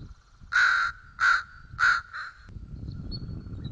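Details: Bald eaglets at a feeding at White Rock, recorded 06 04 at 06:15; four loud, harmonically rich, piercing calls about half a second apart, then quiet background rumble with faint thin whistles.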